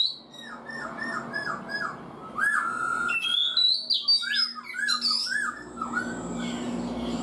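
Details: Black-throated laughingthrush, four months in a cage, opens with repeated descending whistles, then a loud bright passage of sliding notes and quick high flourishes, with a low background drone.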